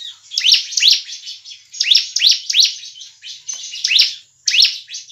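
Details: Bar-winged Prinia sound used as a lure to trap birds and to prompt kept birds to sing; bursts of sharp, high rising chirps over a thin buzzy trill, with short pauses between groups.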